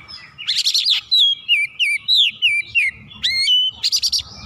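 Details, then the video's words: Agitated oriental magpie-robin pouring out its repertoire: a burst of harsh, buzzy notes, then a quick series of clear falling whistles, sharp upslurs and another rough chattering burst at the end. "KACER GACOR MEMANAS NAIK EMOSI BONGKAR ISIAN"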